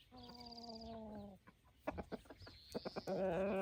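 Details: Roosters among hens on an evening of scratching in golden light, guarding the hens: one long, steady, slightly falling harmonic crow of over a second, followed by soft clucks, scratching noises, and a thin high whistle from a wild bird.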